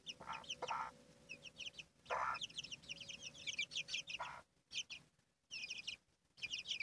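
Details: Chicks with their mother hen: bursts of rapid high cheeping alternate with soft, lower clucks from the hen, and there are short quiet gaps between groups of calls.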